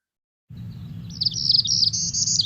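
Northern Parula alternate song: a high, buzzy trill that climbs in pitch over about two seconds, over a low background hum.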